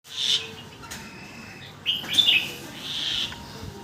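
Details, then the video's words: A red-whiskered bulbul singing phrases in quick succession: a bright warbled burst, a pause, then loud, liquid, slurred whistles followed by a sustained mellow note, all clear against a quiet background. "เสียงนกกรงหัวจุก เจ้า ฟลุ๊ค ต่อดอกไวๆ"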